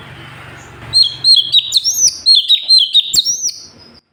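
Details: Sooty-headed bulbul in full, persistent song for tutoring other birds: after a second of low hum, a quick run of bright, downslurred chirping notes, some with higher whistled flourishes, roughly two per second, then silence.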